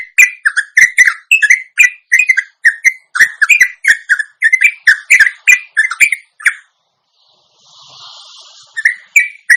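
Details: Indonesian sooty-headed bulbul (trucuk) delivering a long ropelan lure song: a rapid, steady run of bubbly, warbled notes for over six seconds, then a brief hiss and a pause before the notes resume.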